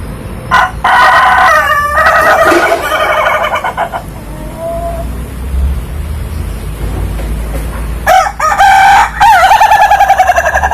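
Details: Laughing chicken (Ayam Ketawa) rooster giving a pulsed crow of about three seconds, a quieter stretch with low traffic-like rumble, then another loud crow with stuttering pulses.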